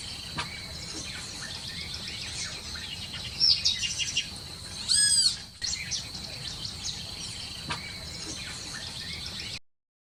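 A parrot gives short, high chirps and a louder squeaky burst midway, over a steady high insect-like hum and faint background chatter.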